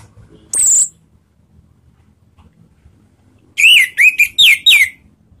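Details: Orange-headed thrush (Anis Merah) lure recording, ngeplong style, to trigger singing: one high thin whistle, a pause, then five rapid wavering whistled notes sliding up and down.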